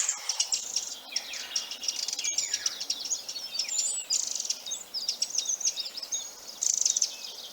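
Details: Eurasian wren alarm call in woodland: a harsh, high, rapid tack-tack tacking that runs into dry, machine-gun-like rattling trills, repeated almost without pause, with faint outdoor background.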